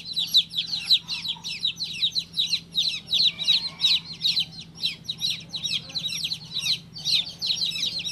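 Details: Baby domestic chicken peeping almost nonstop, bright piercing chirps that fall in pitch, packed closely for eight seconds with barely a pause, a soft steady hum in the background.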